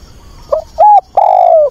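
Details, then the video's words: Decoy spotted dove calling to find a mate, one complete phrase: a faint quick note, a steady mid-pitched coo, then a long, drawn-out coo sliding slightly downward. The setting is quiet. "Cu mồi gáy gọi tìm bạn"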